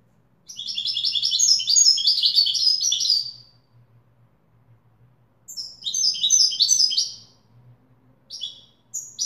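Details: A European goldfinch sings in the Widani style: a long burst of rapid, high, jingling twitters, a pause, then a shorter phrase and a brief fragment, with a faint low hum behind.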